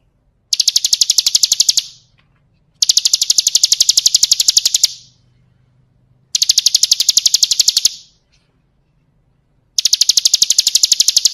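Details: Song of the Bar-winged prinia, known as ciblek kristal, played for training birds: four bursts of rapid high ticking trill, each about one and a half to two seconds, separated by short silences.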